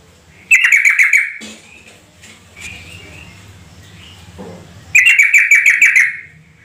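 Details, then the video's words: Sooty-headed bulbul call used as a lure so other bulbuls call back: two rapid bubbly phrases of bright, chirping notes, separated by about three seconds of quiet low background noise. "Suara pancingan trucuk agar bunyi gacor tiap saat"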